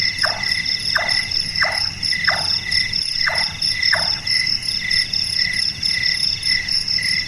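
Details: Hammer-like repeated notes of a night-active Large-tailed nightjar, six short downward-slurred knocks in a steady series, then only the continuous high insect whine continuing.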